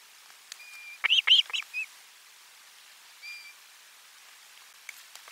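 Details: Osprey at nest camera number 4 on 12 July 2022, lunchtime fish brought to the nest: one short burst of four arched, whistled high notes, with a thin steady whistle from another bird before and after.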